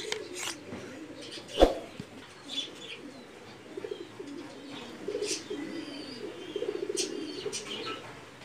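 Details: A Mookee breed pigeon (Columba livia) gives low, soft, rolling coos, with a sharp clap or wing sound partway through.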